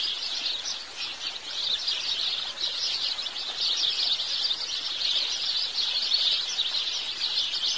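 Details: Lively chattering of house sparrows, many quick overlapping chirps forming an unbroken high twittering, with a quiet background.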